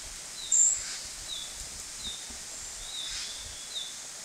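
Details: Female narcissus flycatcher urging young to fledge: a sharp high whistle, then soft, thin descending notes repeated about every second over steady hissing background noise.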